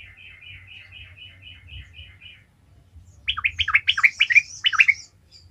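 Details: Trucukan, the sooty-headed bulbul, in 'gacor ngalas' song used to excite other bulbuls: a faint even series of soft repeated notes, then loud, sharply slurred chirps in a quick bubbling run with thin high overtones.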